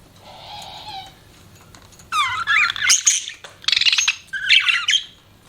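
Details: Pet budgerigars chirping: a soft warbling phrase, then bursts of harsh, buzzy chatter and rapid rising and falling squeaky notes, several overlapping, with a quiet room background.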